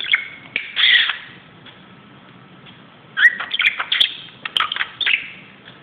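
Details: Budgerigar romping on top of a closet, a short squeaky chirp burst, two seconds of quiet, then a lively string of scratchy chirps and clicks.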